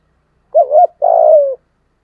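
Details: Spotted dove in the thổ voice style, giving a loud morning calling coo: two short rounded notes, then a longer drawn-out coo that slides gently downward. No other sounds.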